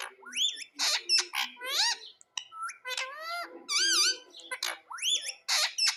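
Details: Indian ringneck parakeet kept as a pet, vocalising nonstop: a rapid mix of bending, whistled harmonic syllables, speech-like chatter and sharp squawks, each lasting under a second, over six seconds.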